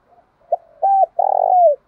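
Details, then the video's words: Short cooing phrase of a spotted dove, a decoy call for provoking rivals to fight: faint lead-in, one clipped note, a rounded coo, then a longer slightly throbbing coo that drops at the end. "Tiếng chim cu gáy kích bổi nhanh nổi, hiệu quả nhất hiện nay, chim cu đất thúc đấu vấy bổi"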